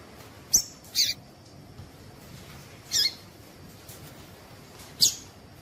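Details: A female Double-collared seedeater calls to stimulate male singing: five short, high sharp chips, two close together, then others spaced one to two seconds apart, with a quiet background.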